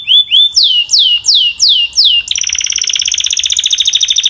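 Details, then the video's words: Belgian canary singing strongly: six loud swooping down-slurred whistles in a slow series, broken off by a long fast buzzing trill. "The Strongest Belgian Canary Singing Voice - Powerful and Clear"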